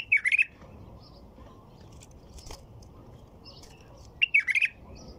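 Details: A white-eared bulbul gives two rich, fluty, warbling phrases, one at the start and one near the end, separated by a quiet gap with faint distant chirps.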